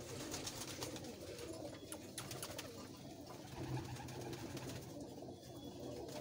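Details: A pair of Kalduma pigeons give low, rolling coos that run together in a soft rumble, with light rustling and clicks close by indoors.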